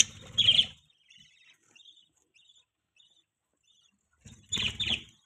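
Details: Budgerigar chirping: a loud harsh chirp burst near the start, a pair of scratchy chirps at the end, and faint soft twitters in the quiet gap between them.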